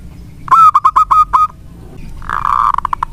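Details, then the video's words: Local zebra dove, a frequent singer kept as a lure bird, gives five quick ringing coo notes, then a blurred, rougher burst of sound. "Perkutut lokal gacor untuk pancingan sangat bagus."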